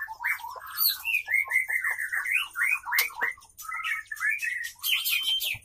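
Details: Female white-rumped shama (murai batu betina) singing while male courts her: fast, varied string of whistled, upslurred and downslurred notes, briefly pausing before a final chattering phrase, with faint ticks behind.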